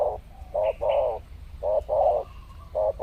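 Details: Spotted doves lured in the wild during a presumed mating season, coming in pairs; three quick coo phrases in three seconds, each a brief note followed by a fuller, rougher longer note, with brief faint higher chirps.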